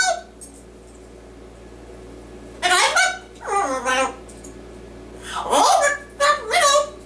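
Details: Pet male yellow-naped amazon parrot indoors, performing his usual skit of singing and reciting a Dr. Seuss book; sparse, hoarse, human-like syllables with sliding harmonic tones come in short bursts after a quiet opening, with steady low room hum.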